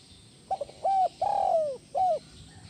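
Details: Captive spotted dove calling, used to soothe stressed doves: a quick soft double note, a steady coo, a long slurred coo sliding downward, then one short closing coo, against low steady hum.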